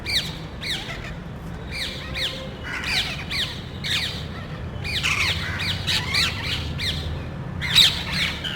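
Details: Group of parrots seeking nest sites in a neighbourhood, loudly calling as if arguing over safety; repeated harsh chattering squawks in clusters, several birds overlapping.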